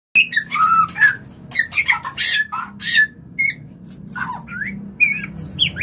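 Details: White-rumped shama mating call, used to bring shamas into breeding condition: varied whistled phrases, short harsh squawks and rising and falling notes in quick succession, with a low hum underneath.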